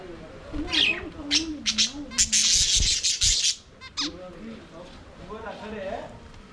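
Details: Budgerigars singing and playing in an aviary: a burst of harsh, buzzy squawks and quick chirps crowded over two seconds, then softer wavering warbles underneath.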